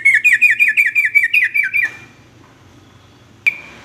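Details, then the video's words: Sooty-headed bulbul (trucukan) song used as a master recording to train young males toward varied songs: a rapid run of about ten bright, bubbly chirped notes in quick succession, then near silence and one sharp closing note. "kicau trucuk aneh tapi unik"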